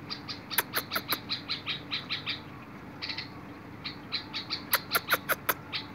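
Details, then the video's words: Bulbul song from 21 August 2022, a run of rapid repeated chirped notes in rhythmic series. Sharp clicking taps come in two brief volleys, over a faint constant background hum. "تغريد البلبل"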